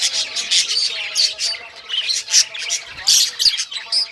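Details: Budgerigars of rare colours chirp while playing with toys: fast, overlapping high twitters and raspy notes in short bursts about every half second.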